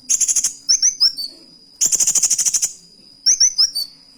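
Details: Van Hasselt's sunbird (kolibri wulung) singing actively with canary imitation: three bursts of high thin chirps and slurred twitters, the middle burst a fast buzzy rattling trill, over a steady high whine.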